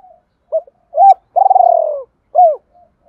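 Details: Decoy spotted dove calling to attract others: brief soft coos lead into a long vibrating, gradually falling coo, followed by one curved descending note. No other sound.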